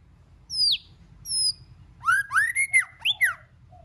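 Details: White-rumped shama song, one of many voices in a mixed repertoire: high thin whistles sliding downward, then a loud run of rich, rapidly rising and falling warbled notes, clean and close.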